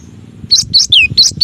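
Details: Cinereous tit (gelatik batu) masteran song: a quick sequence of bright high notes, rising chirps with one long downslurred whistle in the middle, over low background knocking.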